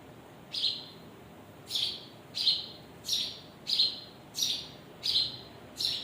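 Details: Bird parents with their chicks chirping. Sharp, bright, downward-sliding chirps repeat steadily about once every second over a low, constant background hiss.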